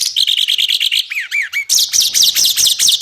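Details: Songbird master recording for training contest birds: a fast series of sharp high chirps, then slurred whistles that rise and fall, and then loud, buzzy, down-sweeping notes repeated rapidly.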